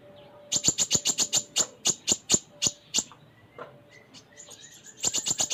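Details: Vigorous 'full isian' song of a kolibri ninja (konin): a long run of evenly spaced, piercing high chirps lasting about two and a half seconds, a softer varied interlude, then another quick chirping burst.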